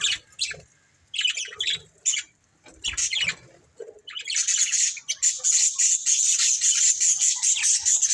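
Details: Budgerigars of a breeding pair give scattered squeaky chirps and short chatters. The calls then merge into a steady, high, buzzy twittering warble that runs continuously for several seconds.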